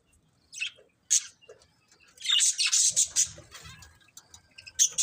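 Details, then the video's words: Budgerigar breeding pair: scattered single high chirps, then a loud burst of scratchy, overlapping chirping in the middle, fading to soft notes before one last sharp chirp. "Cute Budgies Chirping Sounds"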